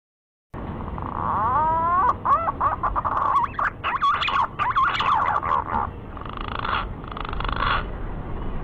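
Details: Green pigeon call used as a hunting lure: stepped, rising whistled notes climb, then a run of bright, warbling, looping whistles, ending in fainter repeated whistles.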